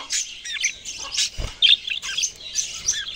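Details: Budgies singing in short bursts of high chirps and squawky twitters, uneven in rhythm, with a dull low knock near the middle.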